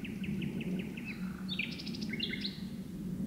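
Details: Nightingale hidden deep in birch bushes in the gloaming, singing a row of short repeated chirps followed by varied sharp whistled phrases jumping between pitches, with a constant low hum underneath.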